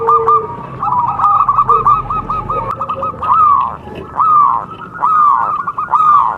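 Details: Local zebra dove in contest style, recorded as a training lure to prompt other doves to sing: a fast run of short clipped notes, then mellow arched coos repeated about once a second.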